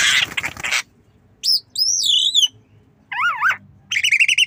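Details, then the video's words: A tame Javan myna, nodding as it learns to cough, gives a harsh rasping burst followed by clear wavering whistles, a zigzag warbled phrase and a buzzy harmonic note. "Jalak kebo Manggut Belajar Batuk"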